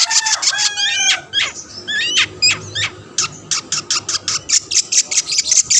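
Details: Long-tailed shrike performing a rival-provoking song: twisting whistled phrases and harsh rasps at the start, then a steady run of short scratchy notes roughly three per second.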